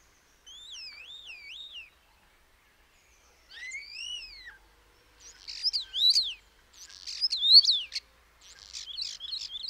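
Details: Common starling giving a wavering whistle, then a slurred rising-falling whistle, followed by harsher buzzy, chattering song phrases with sharp high notes, separated by short pauses.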